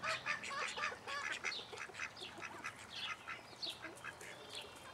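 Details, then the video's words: Young call ducks (domestic duck) in a private collection in Holland chatter together in a busy, overlapping stream of high, nasal quacks and squeaky peeps, roughly two calls a second. "call duck (juveniles)"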